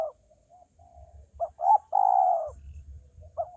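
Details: Male spotted dove: short clipped notes leading into a long hoarse coo, then another phrase beginning, with faint low rumble and steady high hiss.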